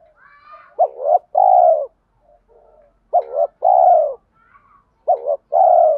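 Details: Spotted dove lure bird cooing in the mixed 'thổ' and 'thúc' style used to challenge wild doves and draw them in fast. Three phrases, each a wavering double note then a long full coo, with soft twittering calls in the background.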